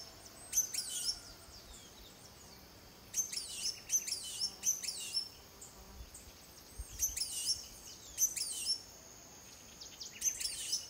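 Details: Blue-and-gold Tanager, Costa Rica, 2021, captured on a Fujifilm XH1; short clusters of very high, sharp, descending tsip notes recur every second or two, separated by quiet pauses in a calm background.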